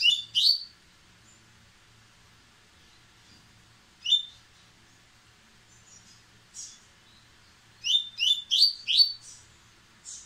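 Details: White-throated seedeater, white-breasted, in a fast, impetuous song: loud paired chips, a lone note, then a rapid string of five ringing upswept notes, separated by quiet pauses.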